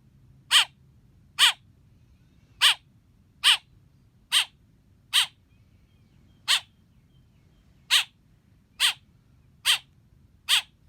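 A young blackbird gives short, harsh, high chirps about once a second at an uneven pace. Each chirp is a scratchy burst against a quiet background.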